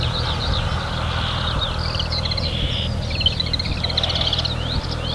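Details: Marsh warbler, which weaves imitations of other birds into its song, pouring out a busy chattering warble with whistles and buzzes above a heavy low mechanical hum.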